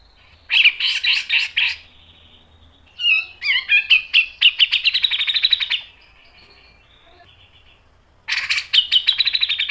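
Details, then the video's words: Grey-cheeked bulbul singing vigorously in sharp 'mbeset' style as a lure and tutor. A burst of rapid chatter is followed by varied, bending notes, then a lengthening run of pulsed chips. After a quiet gap, another harsh rattling burst begins. "MASTERAN CUCAK JENGGOT GACOR MBESET NGEPIK dan NEMBAK tajam | PANCINGAN CUCAK JENGGOT"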